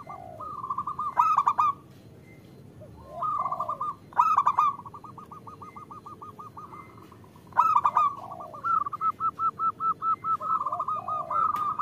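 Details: Female zebra dove calling for a male, used to coax males into song: long runs of fast, evenly spaced cooing pulses, with three loud rasping stutters and softer curved notes between phrases.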